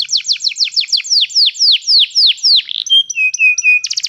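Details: Canary song meant to teach another canary to sing: a fast series of downward-sweeping whistled notes that slows slightly, then breaks into short pure whistles and a closing rapid trill.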